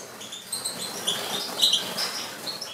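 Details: European goldfinches; dense, tinkling twitter of high, quick notes and buzzy trills overlapping, with no low sounds.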